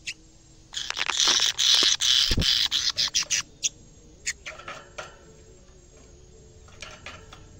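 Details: A caged canary, reacting on first seeing a camera, bursts into a rapid, high, buzzy trilling song lasting about three seconds. Sparse sharp chirps and soft notes follow.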